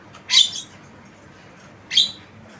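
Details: Tame Javan myna producing two harsh, broadband squawks about one and a half seconds apart, each loud and slightly drawn out.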